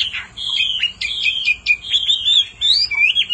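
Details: Hwamei, with a female's insistent calls prompting the male to sing: clear level whistles alternate with abrupt sharp notes, a choppy, loud sequence of flat and upslurred tones.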